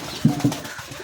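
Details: Domestic pigeon, likely of a Kaldom pair kept on a pigeon farm: two low, throaty coos, each about a tenth of a second and spaced a quarter second apart, over faint indoor room noise.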